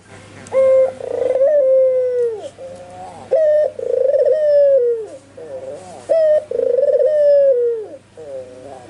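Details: Energetic albino puter dove cooing in a steady cycle. Each sharp short note is followed by a long throaty, trilling coo that falls away, about every three seconds. Softer wavering coos are heard between phrases.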